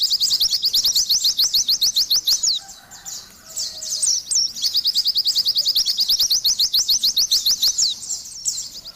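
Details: Oriental white-eye giving a bright, rapid trill of thin, high slurred notes, pausing briefly after a couple of seconds, adding a few squeaky notes, then continuing steadily to the end.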